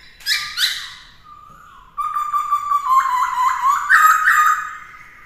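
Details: Caged black-throated laughingthrush sings a varied song for training a young bird: two sharp harmonic notes, a soft level whistle, then about three seconds of fast, rich, rolling warbles with quick repeated notes.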